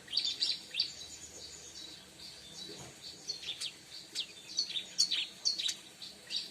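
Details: Bar-winged prinia song used for luring birds: high, thin chirps and short sharp notes in quick irregular bursts, some trilled, with faint background hiss.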